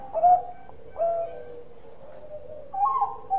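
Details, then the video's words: Bangkok-type zebra dove singing loudly: several short whistled coo notes, each followed by a long, low, steady tone, with a brighter rising phrase near the end over faint background hum. "Perkutut Bangkok Gacor Suara Besar"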